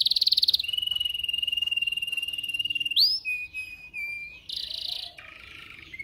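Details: Song for training canaries to sing: a fast high trill, then a long level whistled roll, a sharp upward note, short slurred whistles, and a buzzing roll before a lower pure note.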